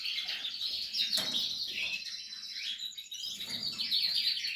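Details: Portuguese harlequin canary during nest building, singing dense, high, warbling song with quick trills and whistled flourishes, nearly unbroken.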